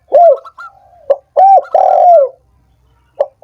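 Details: Spotted dove calling, a sound meant to prompt sluggish, silent doves into song: a short phrase of soft hooked coos, one longer drawn-out note falling at its end, then a brief clipped note after a pause.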